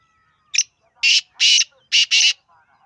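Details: Black francolin (kala teetar) giving its call: a short high introductory note, then four loud, harsh, grating bursts in quick succession, the last two almost joined, with a faint whistled tone at the start and near-silent background.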